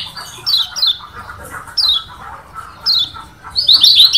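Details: Kecial kuning from Lombok, a yellow white-eye, in a song variation said to provoke rivals: spaced high descending chirps over a faint lower warble, ending in a loud rapid flurry of twittering notes.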